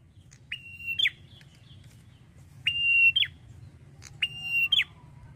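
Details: Male red-headed prinia in full, drawn-out song: three phrases, each a long steady high whistle ending in a sharp downward-slurred note, with a faint low hum underneath.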